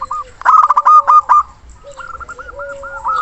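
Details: A local zebra dove sings loudly to call a rival. A burst of fast, clipped cooing notes is followed by a steady run of softer, evenly spaced hooked coos.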